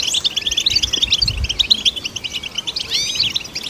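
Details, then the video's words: Goldfinch song meant to stimulate goldfinches: rapid chattering high notes run together, ending in a burst of sweeping, rising and falling whistled slurs, with faint low thumps underneath. "Golden Songbird vocal performance to stimulate the goldfinch"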